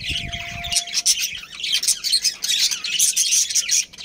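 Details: Captive budgerigar family colony: raspy squawks and high squeaky chirps blur into a continuous noisy chatter, some low knocking at the very start.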